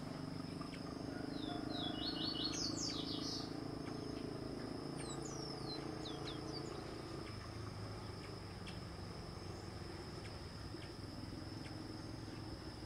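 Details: White-spotted woodpecker (Veniliornis maculifrons), a Brazilian forest endemic, eating a larva while giving brief bursts of sharp, high, squeaky chattering notes, with a steady high insect whine and low background rumble.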